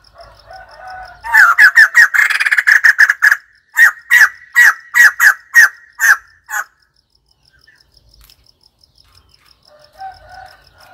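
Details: White-crested laughingthrush in a loud, excited burst of rapid cackling notes, fast and crowded at first, then slowing to about eight separate harsh notes spaced half a second apart before stopping; soft warbling before and after.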